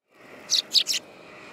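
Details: Sparrow in autumn, 18 September 2013, giving three short, bright chirps in quick succession, the middle one loudest, over a faint low background hum.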